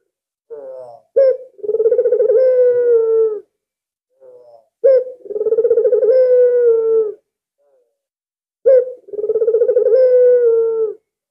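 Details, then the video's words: Albino Barbary dove, a keen caller kept to lure other doves, repeats its coo three times, about every four seconds. Each phrase is a quick soft lead-in, a sharp accent, then a long low rolling coo that sags at the end. "BURUNG PUTER ALBINO SANGAT GACOR cocok dijadikan pancingan"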